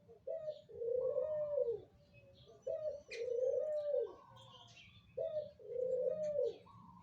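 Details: Lure call of a spotted dove used to draw in other doves: three repeated low coo phrases, each a brief note followed by a long, level coo, over light background hiss.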